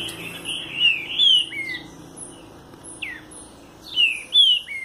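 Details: A southern-type green-winged saltator ('trinca-ferro do Sul') sings rich, clear whistled phrases with sliding, down-slurred notes in quick bursts. Thin, high squeaky notes are mixed in over a faint low hum.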